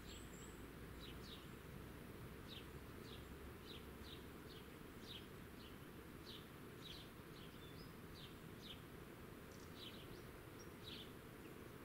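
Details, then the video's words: Wild birdsong in open countryside at La Croix Tasset, Côtes-d'Armor, Brittany, France, on 21 August 2014: a faint series of thin, downward-slurred chirps repeated steadily through the recording, set against a constant broad hiss of background noise. "Birdsong, Skies & Countryside"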